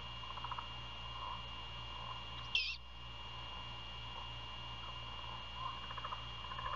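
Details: At night, 27 February 2022, a Great horned owl nest near Savannah, Georgia, sees a prey handover; a single sudden, loud hissing screech breaks through, with faint pulsing insect-like trills and a steady hum behind.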